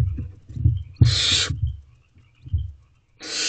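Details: Night recording from a barn owl nest box, 5/8/23 at 9:57 pm, owlets taking turns at a rabbit: scuffling thumps and shuffling, then a loud breathy hiss lasting half a second and another starting at the end.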